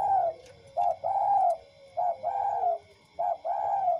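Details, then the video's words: Spotted dove, tame, delivering paired coos: a short note followed by a longer drawn-out one, the pair repeated three times in four seconds, clear and close. "Tekukur Putih VS Tekukur Lokal Yang Sama Jinak."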